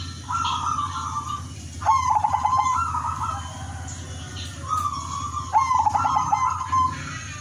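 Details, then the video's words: 'Udanmas silver' zebra dove singing rhythmically to attract other zebra doves: two full phrases, each a smooth coo followed by a rattling stutter and a held mellow note, set against a steady low hum. "perkutut udanmas silver gacor irama merdu jadi pancingan semua perkutut"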